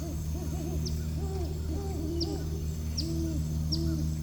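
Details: Pair of Great Horned Owls in a tree at Bois D'Arc WMA outside Hope, Arkansas, 19 November 2025; the male gives four short hoots with a central break, the female about seven. A dense run of soft, low hoots continues throughout over a steady hum.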